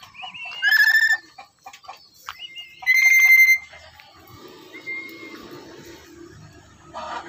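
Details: Pet black-capped lory that stays without flying off: two loud, ringing whistled notes with strong overtones near the start and around three seconds, then a softer short whistle near five seconds, over a faint background hum.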